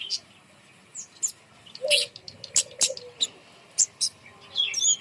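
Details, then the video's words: Kemade bird, hung up high to lure reluctant birds into singing, gives scattered high chirps and quick twittering notes with one short, low whistle in the middle. "gantang burung kemade di atas untuk pancingan burung malas bunyi"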